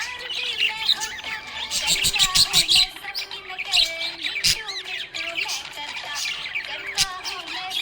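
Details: Happy budgerigar in continuous chirping chatter: rapid high squeaks, clicks and short warbled notes running in tight clusters, with a quieter steady low tone in the background.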